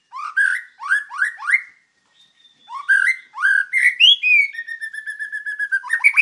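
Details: White-rumped shama song as a master recording for training other birds: repeated rising whistled slurs in a series, a pause, then more rising notes ending in a long steady whistle.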